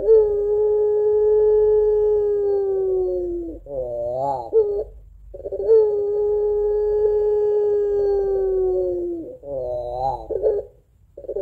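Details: Two cycles of the puter pelung Barbary dove's long crying coo, a lure for other doves: each a held tone of about three and a half seconds ending in a short run of wobbling, bubbling coos.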